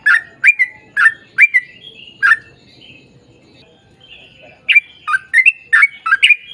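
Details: Sooty-headed bulbul singing in lively 'ropel panjang' style. A quick cluster of sharp slurred notes, a quiet pause of about two seconds with a soft whistle, then another rapid burst.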